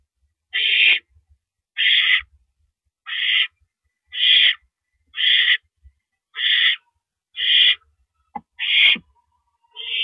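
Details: Owl nest at 1:11 AM on 6 April 2012 during the male's rabbit delivery: nine regular rasping screeches about one per second, plus a few sharp clicks near the end.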